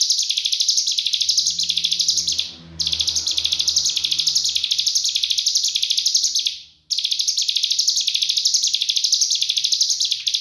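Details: Cigun pouring out a dense 'nembak rapat' trill, a master recording for training kacer and murai. The piercing, buzzy phrases pulse about twice a second and are broken by two short pauses. A low hum is audible.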